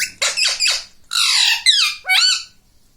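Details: Pet ringneck parrot trained to say 'mummy' and 'mithu' makes rough, grating squawks followed by longer, wavering, nasal cries, five bursts in all.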